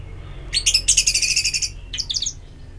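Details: Orange-headed thrush song played as ngeplong therapy to stimulate singing: a dense burst of rapid, high, chattering notes stacked over a second, a pause, then a shorter trill of bright chirps.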